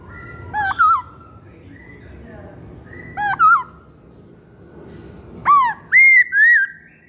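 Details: Masked laughingthrush repeating short twisting double notes about every two and a half seconds, then three quick ringing whistles, some rising and some falling.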